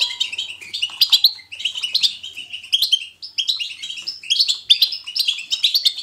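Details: Goldfinch 'betbeta' song for prompting a goldfinch to sing: twittering phrases of fast high chirps and slurred notes, pausing briefly about every one to one and a half seconds, with faint low chatter.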